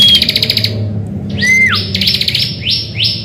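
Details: Bar-winged prinia singing in the morning, a lure recording to draw other birds into song: a thin level whistle, then an arched whistle dropping away, followed by fast buzzy rattling trills that rise at their start, over a low steady hum.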